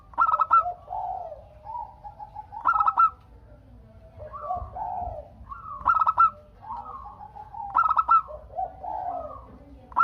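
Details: Zebra dove, a local Indonesian bird, singing to draw answers from other doves; rolling bursts of quick coo notes roughly every two to three seconds, alternating with softer, lower, descending coos, possibly more than one bird.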